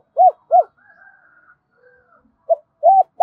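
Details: Spotted dove calling in a double voice, used for decoy training: two clear arched coos, a faint drawn-out tone, then a short note and further coos starting a new phrase.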